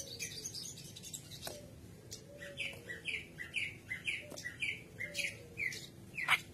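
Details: White-browed kerak basi singing, a recording used as a training lure for young birds: a series of quieter slurred whistled notes repeated at a steady pace, with occasional sharp clicks and faint background hiss.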